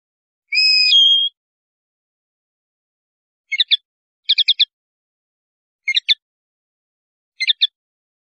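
A steady, electronic-sounding whistle opens, then swiftlet chirps follow: short clusters of two to four dry, clicky, high twitters repeated every second and a half.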